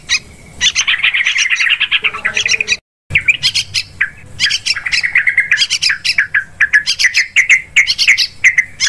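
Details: Yellow-vented bulbul calls used to lure birds when hunting in forest, rice fields and plantations: continuous buzzy chatter and sharp chirps, a brief silent gap, then busy overlapping harsh notes with steady whistled tones.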